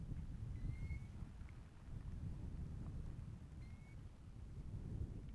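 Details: Golden plovers on a Scottish hillside in Assynt, heard from above. Two clear, mournful whistled notes about three seconds apart carry over steady, rumbling wind.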